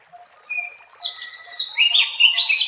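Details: Wild Oriental magpie-robin, song used for luring birds: a thin whistled note, then a loud, sustained stream of bright, chattering whistles that rise higher toward the end. Faint soft notes sound behind it.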